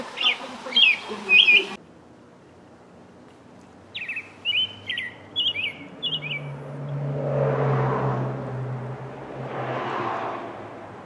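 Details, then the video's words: American robin singing in the morning: brief bursts of high chirped notes, then a run of short whistled phrases rising and falling, followed by a low, steady rumble of background noise. "Suara Kicauan Burung American Robin di Pagi Hari"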